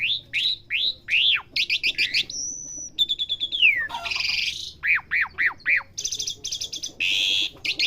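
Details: Asian pied starling learning sounds: varied medley of rising chirps, a sustained thin whistle, a falling slide, grating buzzes and a series of arched whistled notes, delivered nearly nonstop.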